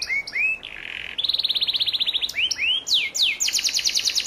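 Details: Young canary in moult, sung as a tutor recording for training contest birds: rising whistled slurs, a buzzy burst, then a fast trill of about twenty bright notes, further upswept whistles and a rapid closing trill.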